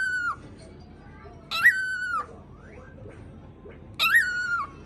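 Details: Indoor cockatiel that starts barking after mimicking gargling, giving three clipped bark-like notes with a raspy onset and a flat, tonal tail, spaced irregularly, with faint squeaky sounds between them.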